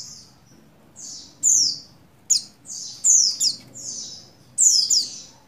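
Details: Breeding-condition female Oriental white-eye (buxtoni) calling to a male, giving sharp high twitters and descending chirped notes in short phrases about every second, over a soft low background hum.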